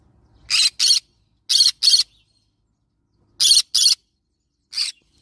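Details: Yellow-sided green-cheeked conure repeating loud, raspy two-note screeches, three doubled calls followed by a weaker single one.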